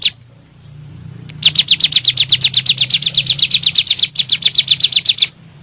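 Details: Bar-winged prinia lure recording meant to stir kept birds to sing: after a quiet start, a long fast run of bright high chirps at about four per second, steady and ringing, over a soft low background hum.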